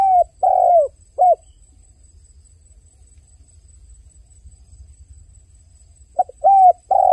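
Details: Crying dove gives mellow low coos: a phrase of a long slightly falling coo and a short note, then a long pause of near-silence before another run of short and longer coos starts.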